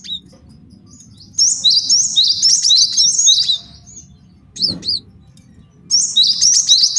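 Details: Male cinereous tit master song for training and luring: two bursts of fast repeated high two-note phrases separated by a pause with a pair of sharp chirps and a brief low thump, over a constant low hum.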